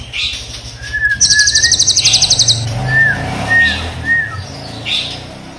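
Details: A kept Crested jay (Platylophus galericulatus), black or brown form from Indonesia, gives a long rapid metallic rattle song lasting over a second, then short downslurred whistles about once a second, over faint background noise.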